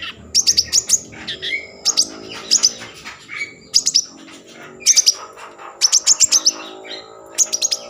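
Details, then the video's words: Common iora song meant to trigger breeding mood and singing: repeated clusters of very high, sharp chip notes in fast runs, interspersed with lower whistled slurs, cycling every second or so. "Konin gacor Mambangkit kan Birahi || pancingan konin agar bunyi"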